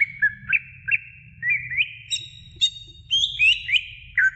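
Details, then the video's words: Greater green leafbird singing to stimulate young birds, a run of slurred whistles with quick upturned flicks, then sustained higher ringing notes and descending slides near the end, over a faint low hum. "CUCAK IJO BIKIN JUNIOR NGETOP GACOR NGEPLONG"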